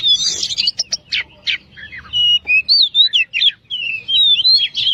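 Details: Oriental magpie-robin (kacer) singing in the lively, loud 'gacor dor nembak' style used as a long training song for other songbirds: rapid varied whistles, sharp chips and quick rising and falling slurred notes in dense phrases with short pauses, faint low hum beneath.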